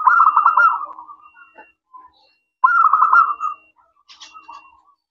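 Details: Local zebra dove singing in clear, crystal-toned voice, meant to make other doves answer: two loud bursts of rapid trilled cooing, each fading into softer notes, with faint scattered sounds between phrases.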